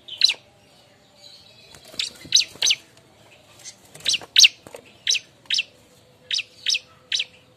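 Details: Bar-winged prinia calling noisily while looking for a mate, used as a lure sound: sharp, bright chip notes repeated in an uneven series about every half second, some doubled, over a faint low hum.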